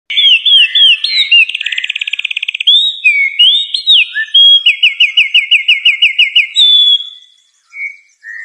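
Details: Bird perched on dry wood at sunrise among trees sings high whistled phrases: looping notes, a fast buzzy trill, then a run of rapid repeated chirps and a few soft closing notes.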